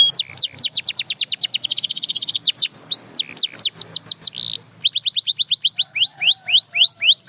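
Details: Canary song of rapid downward-sweeping whistled notes in fast trills, shifting between tour types with short pauses, delivered clear and bright as an example that spurs other canaries to sing.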